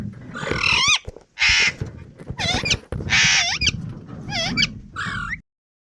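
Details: Indian ringneck, a pet parrot, calling in loud rasping squawks alternating with shrill bent whistles that rise and fall, about six bursts before the sound stops abruptly.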